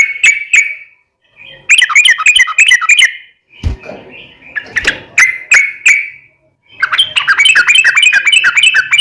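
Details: Yellow-vented bulbul in vigorous gacor song, used as a daily training recording for cage birds: bursts of bubbly, chattering notes with short gaps, then a long rapid trilling run, and one brief low thump.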